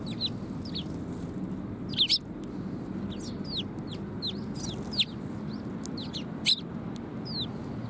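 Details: A flock of sparrows coming for food at a Tenmangu shrine, 18 December 2020, giving bright, clipped descending chirps, some doubled, scattered irregularly, with a low background rumble.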